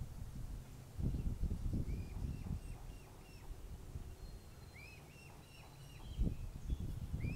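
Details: Mute swan cygnet with its father in Plymouth, Massachusetts, 21 June 2020, calling for its mother and siblings now out of range. Two bursts of rapid, high, down-curving peeps over low rumbling noise.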